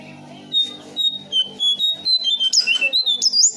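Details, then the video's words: Brown shrike call used as a lure for birds: a rapid run of short, high chirps and whistled notes, climbing in pitch toward the end, over a steady low plucked-string music background. "Jongkangan/Cingcoang coklat untuk pancingan burung anda"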